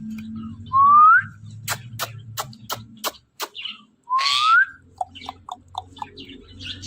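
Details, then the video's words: Pet talking ring-necked parakeet indoors giving two clear rising whistles several seconds apart, with a run of sharp taps between them and soft clicks after, steady low hum behind. "Talking Parrot Conversation In Natural Voice"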